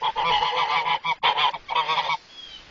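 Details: Geese at Spruce Haven Zoo in Sault Ste. Marie, agitated and aggressive toward a visitor, giving loud, harsh, nasal honks in rapid overlapping bursts, four clustered volleys over two seconds, then fading to near quiet.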